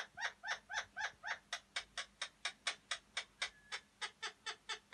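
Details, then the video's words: Alexandrine parakeet breeding-arousal sound used to bring males into mating condition: harsh, rasping squawks about four a second, the first few bending up and down, the rest flatter and clipped. "Pakistan Papağanı Çiftleştirme Sesi (Kızışma Sesleri)"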